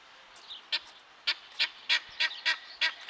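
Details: Loud, harsh, clipped guineafowl notes repeated about three times a second over a steady background hiss.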